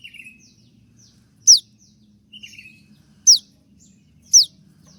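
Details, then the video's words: Konin in moult sings piercing downslurred 'tembakan' shots, three of them, interleaved with short buzzy lower trills and soft faint chips. "dengan suara tembakan seperti ini pasti bikin kelas kicau koninmu melecit tinggi"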